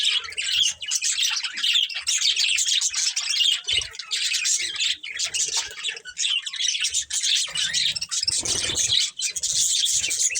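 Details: Several budgerigars of a family flock keep up continuous, overlapping warbled chirping and squeaky chatter with hardly a pause, a busy high-pitched chorus throughout.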